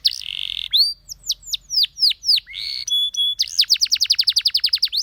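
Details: Canary delivering a buzzy trill, a series of spaced sharp descending notes, a short clear whistle, then a quick even trill of repeated sweeps, about four per second.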